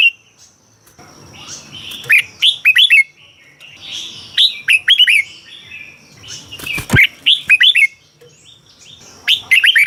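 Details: Caged Red-whiskered bulbul from Thailand giving song played to energise other birds: a series of cheerful warbled phrases of rising-falling whistles, with a sharp loud click around midway.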